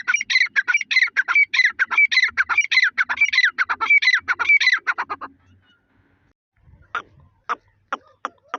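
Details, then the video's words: Partridge calling: a fast run of harsh, squawky notes repeated about two per second for five seconds, then quiet, then a few scattered sharp clicks and taps. "Dakni Teeter ki Awaz||Irani teeter ki Awaz||Desi teeter ki boli"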